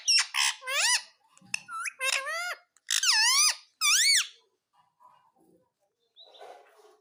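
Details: Talking Indian ringneck parakeet kept as a pet, repeating "mummy mummy": shrill, squeaky, speech-like syllables that swoop up and down in short bursts, followed by faint rustling.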